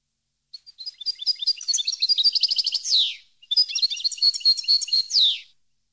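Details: Song of a European goldfinch meant to teach caged birds; two twittering phrases of quick, high, chattering notes, each finishing in a buzzy descending slur, separated by a short break.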